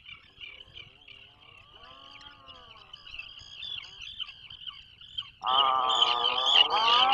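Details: Atlantic puffin at its burrow off Maine during the 2024 breeding season: faint distant moans at first, then an abrupt loud buzzy groan with strong overtones, wavering steadily for the last two seconds, over a continuous high thin tone.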